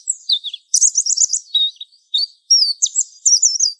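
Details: Mountain white-eye (Zosterops montanus) sings a fast, very high, tumbling twitter of thin slurred notes in quick bursts with brief pauses; a wild-type lure song used to coax and settle newly caught white-eyes.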